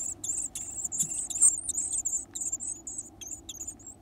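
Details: Varied tit chicks with a big appetite, fed large insects; shrill high squeaks in a rapid jittery series, loudest mid-way, thinning to short separate peeps toward the close.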